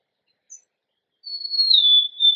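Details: Golden-crowned sparrow with one faint high chip, then a long pure whistle that slowly drops in pitch and ends in a lower held tone. The background is silent.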